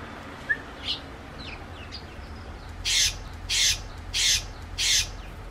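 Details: Eurasian tree sparrow hops onto a garden bench as the door opens and calls to the person coming out. A few soft, scattered notes come first, then four loud, harsh chirps about every half second.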